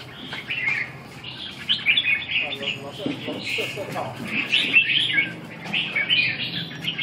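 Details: Red-whiskered bulbul training session, 2 June 2012: repeated short, lively warbled phrases every second or so, with faint voices and a low background hum.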